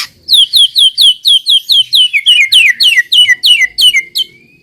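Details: Shama lure song for other white-rumped shamas: a fast, even series of about fifteen bright downslurred whistled notes, roughly three per second, ending in one thin drawn-out whistle.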